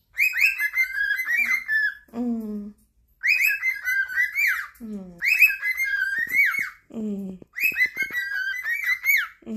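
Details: Pet cockatiels indoors singing together in chorus, competing to please their owner: bright, warbling whistled phrases in bursts of about two seconds, each followed by a short, lower, falling note, repeated four times in a small room.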